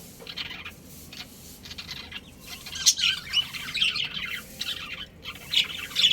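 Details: Breeding pair of budgerigars in a family flock, with soft then livelier high chirping and warbling, quick irregular notes building toward the end.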